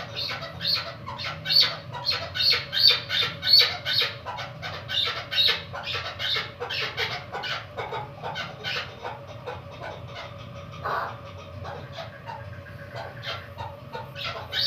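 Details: Female chukar partridge kept for hunting, caged for one month, gives rapid repeated clucking notes, about two or three per second, loud at first and then softening.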